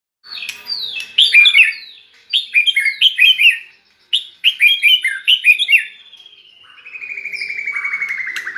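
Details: Kept white-rumped shama raised near red-whiskered bulbuls, singing in a bulbul-like voice: rapid bursts of bright, downward-slurred whistled phrases, then a long, steady, slightly falling buzzy trill at the end.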